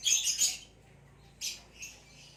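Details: Ringed male green hybrid Lilian's lovebird gives a short burst of shrill, high chirps in the first half second, then two more single sharp chirps after a quiet pause.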